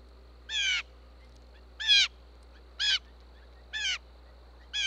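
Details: Blue jay at a feeder in an open grassy meadow near woods in Minnesota, USA, giving five harsh, nasal jeers spaced a little over a second apart, a food call alerting other jays, over low hum.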